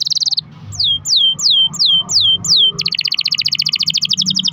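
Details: Canary long-roll song played to encourage other canaries to sing: a brief buzzy trill, six loud downward-sweeping whistled slurs, then a fast pulsing trill to the end.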